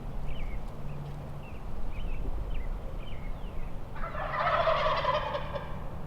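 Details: Wild turkeys near a hunter on public land in Nebraska, sounding farther off than they were: faint yelps repeated about every half second, then a loud rattling gobble bursts in, wind throughout.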